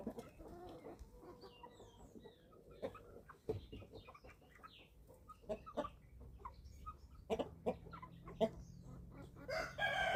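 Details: Feeding-time chicks aged eleven weeks on a small farm in Germany give scattered soft clucks and a few thin higher chirps, punctuated by sharp clattering knocks, with a steady low hum entering in the second half.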